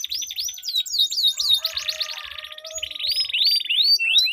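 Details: Dueling canaries with a long rolling song used to make silent canaries sing: rising and falling whistled sweeps repeated about four per second, blending into a dense buzzy roll and more looping high notes.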